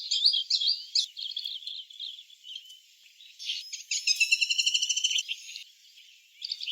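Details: Asian green bee-eaters calling: high chirped notes, then a fast trill of evenly repeated chirps about eight per second lasting over a second, with scattered short tweets before and after.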